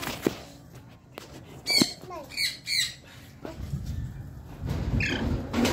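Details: Captive sun conures about 22 months old give short, harsh squawks in scattered bursts, with a person speaking briefly.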